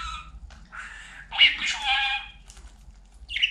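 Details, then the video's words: Talking pet budgerigar producing a few buzzy, voice-like phrases, then a louder scratchy burst in the middle and a short sharp chirp at the end, with a soft low hum underneath. "Konuşan Muhabbet Kuşu"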